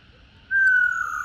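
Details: A captive-context female black-throated laughingthrush 'ro' call, meant to excite caged males: a single clear whistle that starts after a pause and slides slightly downward as it fades.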